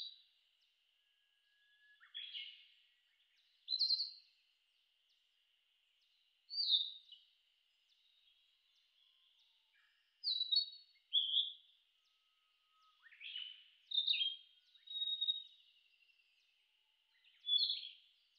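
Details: Narcissus flycatcher (Ficedula narcissina), a summer visitor, in Shin'etsu highlands, Japan, mid-June 2019, sings short, bright whistled phrases repeated every two to three seconds, still territorial after the breeding season.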